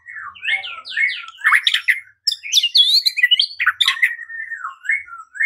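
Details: Dense, varied white-rumped shama song meant to spark singing and fighting, with fast slurred whistles, buzzy high notes and chattering phrases running almost continuously.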